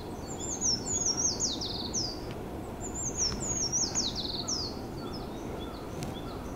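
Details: Treecreeper singing in a research forest at Tomakomai, Hokkaido, Japan, its song resembling a white-eye's: high thin descending trilled phrases of about two seconds, repeated twice with a pause, over steady low background rumble.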